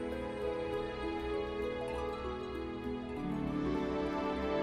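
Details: Soft, sustained instrumental music with layered tones and a steady low pulse, and no animal sounds.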